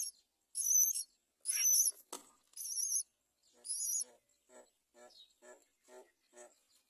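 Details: Great myna baby about to fall from the nest, with the mother bird nearby not saving it. Five loud, raspy, high-pitched hissing bursts, then a sharp click and a run of softer, lower, evenly spaced short pulses.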